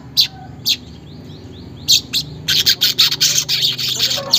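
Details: Weaver song meant to coax caged weavers into singing, unedited: a few separate sharp chirps, then a fast run of clipped buzzy notes in quick succession.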